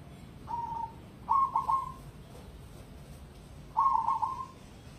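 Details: Cemani zebra dove, competition standard, giving loud stuttering coo phrases of three or four quick purred notes ending in a drawn tail, repeated about every two and a half seconds.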